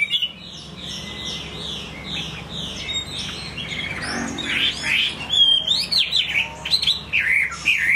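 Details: Chinese hwamei singing: faint warbling at first, then loud, varied whistled phrases from about four seconds on, with quick rising and falling slurred notes and short sweeps repeated in rapid bursts.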